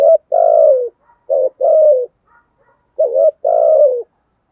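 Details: Spotted dove in the 'thúc' and 'gù' coo style: three low two-part phrases, each a short quavering note then a sustained descending coo, spaced about a second and a half apart, in a quiet setting.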